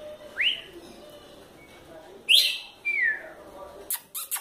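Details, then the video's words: Spirited female red-cowled cardinal giving a few clear whistled notes, one rising, another slurring downward, separated by pauses, followed near the end by sharp clicking bursts. "Galo de campina fêmea fogosa"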